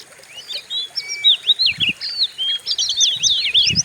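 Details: Oriental magpie-robin song used as a lure to stir other birds into singing: rapid varied whistled notes, short upslurred and downslurred phrases and dense chattering trills, delivered continuously, with faint low thumps underneath.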